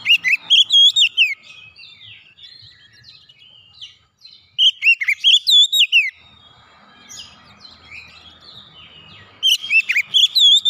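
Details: Loud oriental magpie-robin song, offered to revive a bird that has gone silent: three bursts of rapid, varied whistles with sweeping slurs, separated by quieter stretches holding softer scattered chirps.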